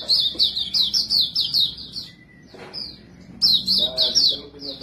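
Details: A white-breasted white-eye of the montanus type sings its lure song in quick high twittering phrases. There is a brief pause in the middle before the rapid chirping resumes, over soft low background sounds.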